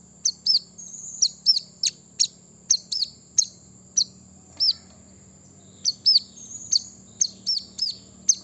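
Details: Brown-throated sunbird song played to provoke birds into singing: rapid series of high, sharp, slurred chirps and short downward-curving notes, irregularly spaced, with a thin sustained high whine in the background.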